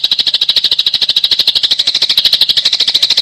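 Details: Unbroken rapid chirping of fighting tree sparrows, evenly paced harsh high notes over three seconds.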